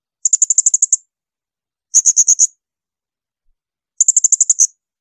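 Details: Blue-crowned hanging parrot shrill bursts, 'tembakan melengking', recorded for songbird training: three rapid volleys of piercing high ticking notes, around ten, six and nine notes, each about a second apart.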